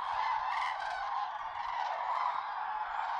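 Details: Common cranes at sunrise in the Tister Bauernmoor, with much water and more cloud than forecast; a dense, even chorus of trumpeting calls from numerous birds, loud and continuous.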